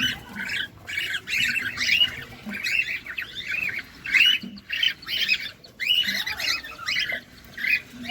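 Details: Close-up cockatiels while feeding give short, grating squawks and chirps in quick, irregular runs, some with a clear upward-bending whistle, separated by brief silences.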